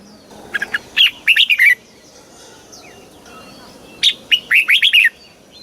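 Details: Red-whiskered bulbul from Thailand singing in the southern master style, played to excite bulbuls and teach young birds: two quick phrases of about six clear whistled notes, sliding downward and bright, separated by a quiet pause with faint chirps.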